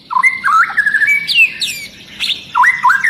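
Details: Long-tailed white-rumped shama in agitated song that sets other shamas singing; loud looping whistles, a long level note, high downward slurs, then rising bouncing phrases.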